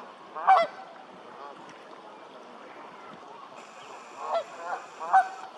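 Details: Honking Canada goose: one strong nasal honk at the start, then a long lull, then two more honks close together near the end.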